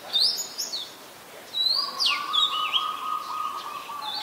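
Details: Adult red-whiskered bulbul singing in Ubon Ratchathani, Thailand, on 3 January 2021: a few sharp whistled notes, then a swooping slurred phrase over a long steady low whistle running through the second half.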